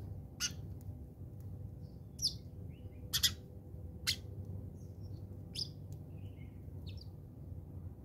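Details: Fighting house sparrows in South Africa give loud, abrupt, sharp chirps about once a second, between quieter high notes, over a low background hum.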